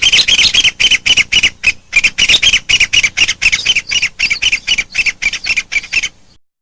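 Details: Two ncuab birds, a pair, give rapid rasping squawks in a steady stream, roughly four per second with brief gaps, each note loud and scratchy, ending abruptly after about six seconds.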